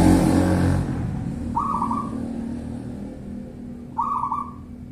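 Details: Local zebra dove song, bedah karang nabuh kentongan style: after a loud low rumble at the start fades, two rippling coo phrases follow about two and a half seconds apart, each opening with a quick rising note.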